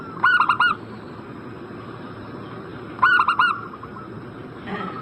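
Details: Zebra dove calling, used to draw a reply from a bird in breeding condition: two bright phrases of three to four stuttered coos, about three seconds apart, and a soft murmur of distant cooing between them.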